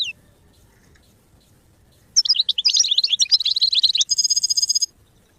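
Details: A goldfinch sings for training purposes: after a short note and two seconds of quiet, a burst of rapid twittering and chattered notes leads into a steady nasal buzzing trill.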